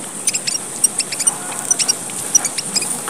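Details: High, thin squeaks and short ticks from a red munia of Papua, Indonesia, used as a lure sound; notes come singly at irregular spacing, about a dozen in three seconds, with faint background hiss.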